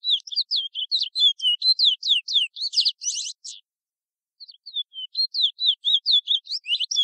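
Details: "Ananas" song of a Chestnut-bellied seed finch, local French Guiana style: quick high twittering phrase of slurred whistles ending in rapid buzzy trills, a short pause, then the phrase starts again with soft rising whistles.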